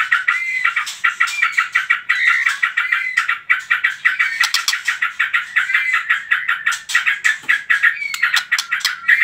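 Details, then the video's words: White-rumped shama trotol song for provoking other birds to sing: fast, regularly repeated rattling notes with short whistled slurs woven through, continuing without pause. "PANCINGAN TROTOL MURAI BATU"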